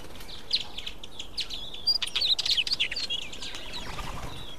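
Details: Mountain chat, also called mountain wheatear, a common resident species: a lively run of high chirps, warbled notes and short whistles, rather irregular, over a steady low background hiss.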